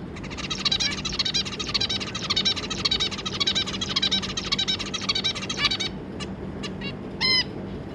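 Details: Two adult zebra finches and three juveniles, 25 July 2022: nearly six seconds of fast, buzzy, tinny chattering, then short scattered notes and one clear nasal honk near the end, low hum beneath.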